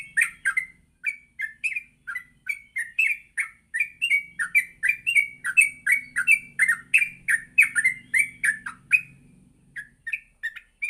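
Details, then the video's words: Yellow-vented bulbul morning song, used to train other bulbuls to sing in the rapid ngropel style: quick, sharp chirping notes, each falling briefly, repeated about three times a second in a long run, with a faint low hum. "Pancingan Pagi burung trucuk Gacor sangat cocok untuk melatih trucuk belajar bunyi dan ngropel"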